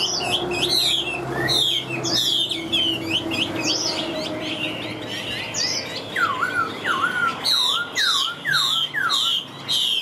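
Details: Caged Chinese hwamei, a large bird flicking wings and tail, sings loud varied whistled phrases of quick high notes, then a run of repeated downward-slurred whistles about twice a second, over a steady background hum.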